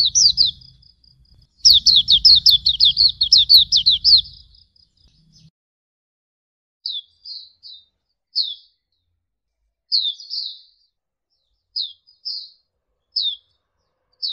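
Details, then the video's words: Auriventer white-eye tutor song: a dense burst of quick, high, slurred chirps, then a string of scattered single downslurred notes spaced a second or so apart in quiet. "Masteran Suara Burung Pleci Auriventer"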